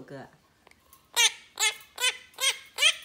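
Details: Female monk parakeet, three years old, kept as a pet and talking with her owner: a soft low murmur first, then five loud, harsh, evenly spaced squawks about every half second.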